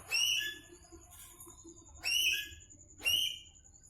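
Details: Rose-ringed parakeet giving three loud, shrill whistled calls about one second apart, each a short harmonic-rich note with a slightly falling tail, over a faint steady high tone and quiet background.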